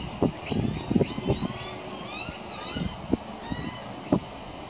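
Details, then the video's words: Baby pied butcherbird receiving minced beef from its mother on a veranda railing; wavering, quavering high calls rise and fall in short bursts, mixed with loud low knocks and thumps and a background rumble. "Baby Pied Butcherbird Being Fed"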